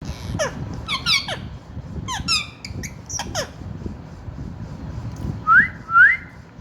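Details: A pet parrot that has newly started whistling: a few harsh, buzzy squawks and chattering notes, then two loud, clear whistles sweeping upward, spaced about half a second apart near the end.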